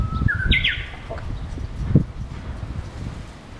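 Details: Japanese bush warbler singing in spring on 8 April 2011. A held low whistle leaps into a quick, higher, sliding flourish. Soft low rumbles and a few thumps follow in the background.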